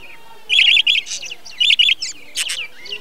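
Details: In a 2020 budgie breeding colony, a budgerigar gives grating, buzzy chirps in short clusters of three or four, with a high scratchy squeak near the end and quiet chatter behind.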